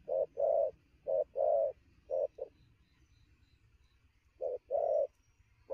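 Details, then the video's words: Newly wild-caught spotted dove cooing in rapid style at midday, very lively: low hollow coos in short-then-long pairs, a brief note followed by a longer drawn coo, three pairs with pauses between. "Sấm thổ gù tốc độ, 12h trưa mà bổi quá sung"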